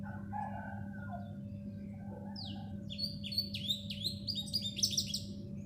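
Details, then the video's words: Black sparrow giving a fast series of sharp, high, downslurred chirps that start midway and grow louder and denser toward the end, with a steady low hum and a few softer lower notes early on. "Black Sparrow Calling Sound | sparrow chirping voice"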